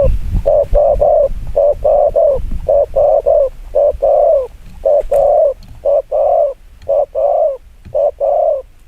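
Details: Spotted dove giving fast, provoking coos: rapid runs of short, hollow, mid-pitched coo notes in clusters of two or three, about one note per second, with faint background hiss.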